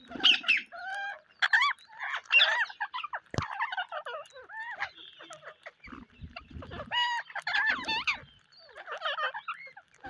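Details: On a rainy day, parrots chatter in loud bursts of rasping, warbled squawks with wavering pitch, separated by short pauses. One sharp click stands out partway through.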